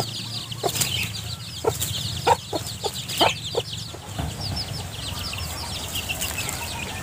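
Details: Mother hens foraging with chicks for earthworms under piles of vegetation litter; a run of short, low, repeated clucks in the middle, roughly one a second, then quieter, with a steady background of faint high chick peeps.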